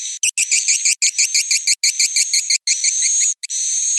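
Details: Swiftlet roosting call: sharp chirps repeated about three times per second over a high ringing tone, ending in a smoother sustained whine.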